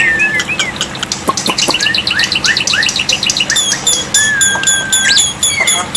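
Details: Black-winged myna tutor recording with water therapy, for getting non-singing birds to respond; a varied medley of slurred whistles, upward swoops, a long level whistled note and high rapid ticking notes, over steady hiss.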